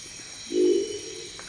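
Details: A Crested Owl (Lophostrix cristata) in the Ecuadorian Amazon gives its typical deep croaking call, a single low, throaty growl that swells quickly, then trails off over about a second, over a steady background hum.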